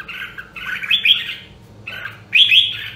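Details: Nam Đông, Huế red-whiskered bulbul song used to train and rouse competition singing. Two loud gurgling phrases, each ending in a bright high rising whistle, are separated by a short gap over a faint low hum.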